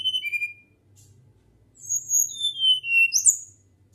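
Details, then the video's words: Flycatcher in natural flute-like song: a short falling whistle, a pause, then a longer run of clear, high whistles gliding downward, ending with a sharp upward-flicked note. "Sikatan Gacor Suara Nyuling Alami"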